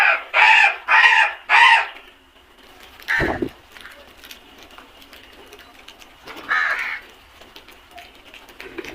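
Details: Flock of crows calling: three loud, harsh caws in quick succession, each about half a second long, followed by a few scattered caws against a quiet background.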